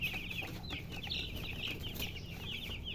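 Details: A crowd of baby chickens chirping, thin high peeps tumbling quickly one after another over a noisy, hissing background.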